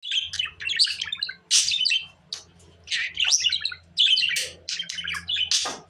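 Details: Pet budgerigar chattering in a dense warble of short squeaky and scratchy notes with sharp chirps and brief harsh squawks, broken by short pauses, over a steady low background hum.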